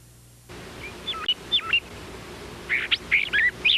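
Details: California Thrasher, a bird of chaparral and residential neighbourhoods found in the US only in California, sings a jerky series of varied phrases: short rising and falling notes, some harsh and some clear, with brief pauses.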